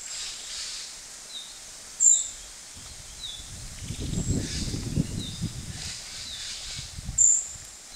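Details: Female narcissus flycatcher coaxing chicks to leave the nest: two brief piercing high whistles and faint thin repeated notes, with rustling and a low rumble in the middle over constant background hiss.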